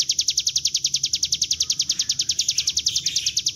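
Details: Bar-winged prinia, ngebren-style continuous song played as a lure to draw birds into singing; a quick, steady rattle of piercing high chips, near four per second, with a slight wavering toward the end.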